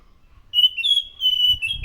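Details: Sustained, clear high whistling from a chestnut-capped thrush, sung loudly as a lure: long level notes stepping slightly up and down, with faint low thumps near the end.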